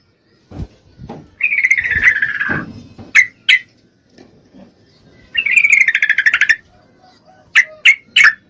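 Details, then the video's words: Female yellow-vented bulbul in breeding condition calls to a male with two chattering, slightly descending phrases between sharp single clicks and chips. "Trucuk Betina Memangil jantan, full Birahi"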